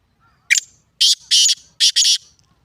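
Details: Black francolin calling loudly: a short sharp opening note, then a pause and three harsh, grating, buzzy phrases, the last two running together, in an otherwise quiet setting.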